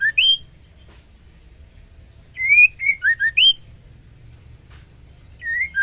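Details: White-rumped shama female, in breeding condition, calling the male to mate: bursts of loud whistled notes, some rising, some falling, grouped in quick series of four, with quiet gaps between and a low background hum.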